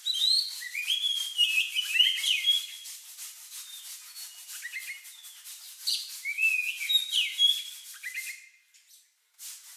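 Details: Oriental magpie-robin (kacer) with a lovebird-like song used as a lure for other birds: slurred whistles and twittering over a steady raspy scratching, trailing off into near silence.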